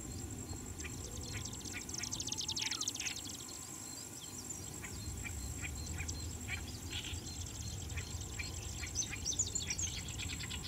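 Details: Marsh grassbird singing while perched, Chiba, Japan, 2 July 2017, apparently attentive to a nearby rival's song: quick, dry, clicking and buzzy notes tumbling irregularly, over low wind rumble and a faint steady high whine.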